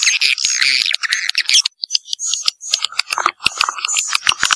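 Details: Swiftlet lure sound, Vietnamese "janda" style: loud chattering twitter, then a brief pause followed by separate sharp chirps and clicks, some with a thin high whistled tail.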